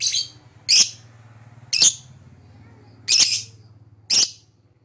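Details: Lovebird giving loud, high, squeaky chirps at irregular intervals of about a second, over a low steady hum in the background.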